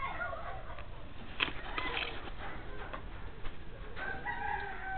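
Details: Swinhoe's pheasant at a pheasantry in Mansehra, NWFP, Pakistan gives harsh, fowl-like clucking notes at the start and a longer tonal call near the end, over a steady rumbling background.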